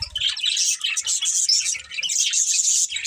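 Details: Pet budgerigars in a family flock chatter in quick high chirps and squeaky warbles, steady and overlapping.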